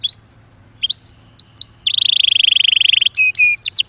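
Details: A canary gives a few soft scattered chirps, then bursts into a loud, rapid rolling trill followed by flat whistled notes and short sweeps.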